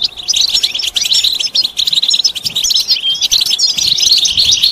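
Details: Stimulating goldfinch calls, styles known as bitbita and sitsita, mating and readiness notes to end a male's silence: fast, jangling high twittering with tinkly slurred notes piled closely together.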